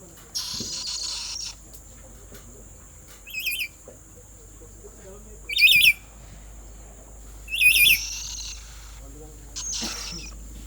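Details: Black-capped lory screaming: three short, harsh, wavering screeches with buzzy overtones, spaced about two seconds apart, between bursts of hissy rustling noise.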